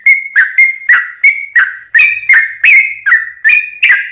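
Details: Yellow-vented bulbul song meant to provoke other bulbuls to sing: a fast series of short liquid whistled notes, alternating slightly higher and lower, roughly three per second without pause.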